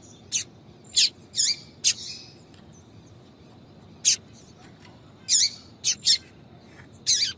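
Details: 'Tui tui' call of a female yellow-bellied seedeater, intended to excite males: a cluster of four sharp high chirps, a long pause, then a single note and a final burst of five, over low hiss.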